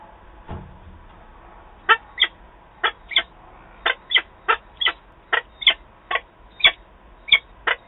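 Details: Female peregrine falcon calling to her mate at Wałbrzych, Poland, on 13 September 2022. About thirteen harsh, rasping, broadband calls are repeated roughly every half second, with a faint low thump near the start.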